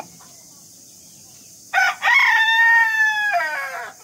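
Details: Rooster calling in the morning: after a quiet start comes a short first note, then a long, steady, strongly harmonic crow held for over a second before dropping away at the end.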